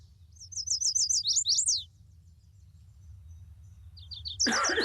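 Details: A male Chestnut-sided Warbler, a bird of young, open-canopy forest in Vermont woods, sings a quick "please please please to meet you": high, sweet repeated notes ending in an emphatic downslurred flourish. A brief fragment and sudden rustling follow, with low hum throughout.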